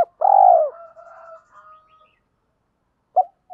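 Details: Spotted dove calling, a call played to train decoy birds and provoke wild ones: a single full, mellow coo with a fainter trailing hum, silence, then a short clipped note.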